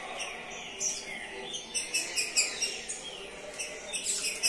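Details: Green-winged saltator, a competition bird that placed third in the season, singing bright, high chirped notes in quick, uneven bursts, with other small birds chirping in the background.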